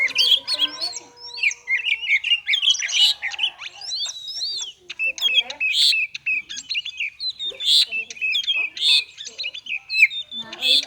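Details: Magpie-robin in konslet style, a song used to get lazy or stalled magpie-robins singing; rapid clicks and twittering notes run together, punctuated by loud emphatic bursts roughly every second toward the end.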